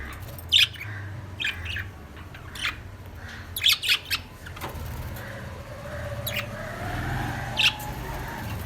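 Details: Lovebirds singing: a few shrill, sharp chirps spaced irregularly, some in quick pairs, over a steady low rumble and faint background hum.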